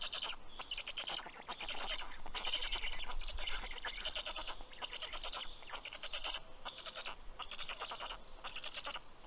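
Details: On 11 June 2023 at 11:00 am in Karula National Park, southern Estonia, Black stork nestlings beg as the adult male brings fish. Hoarse stuttering bursts repeat roughly once a second, with a sharp click midway.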